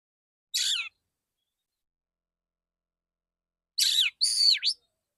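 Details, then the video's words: Male white-rumped shama singing a rasping burst, a long silence, then two harsh buzzy phrases with swooping whistled notes. "Terapi burung kacer jantan dor dor tembakan full suara ngeplong jernih"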